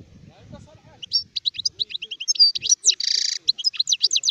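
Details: An adult European goldfinch delivers a lively run of sharp, high twittering notes broken by a rasping buzzy burst midway, then more quick chirps, on a quiet background.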